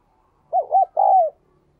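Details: Captive spotted dove singing in the 'đồng kim' voice style, a keen cooer played to encourage newly caught birds to coo; a clean, mellow phrase of two quick looping notes and then a longer falling coo, with a quiet background.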